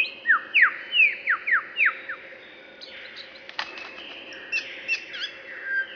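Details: A lyrebird repeating forest sounds, starting with five or six clear descending whistles in quick succession, then quieter, thinner high notes fading out.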